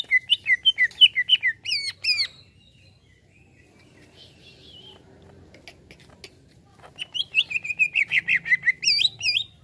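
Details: Greater green leafbird reacting to a played sound: bursts of rapid looping whistled notes, a fast chattering series at the start, a pause of several seconds, then another quick run of varied slurred whistles.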